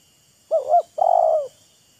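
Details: Spotted dove calling back and forth with a decoy, boasting and luring: a double coo with arched notes, then one long, steady, slightly rough coo, in a quiet setting.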